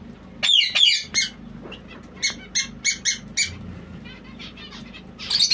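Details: A white zebra finch gives short, nasal, toy-trumpet calls in an irregular series of about three a second, over a faint low indoor hum.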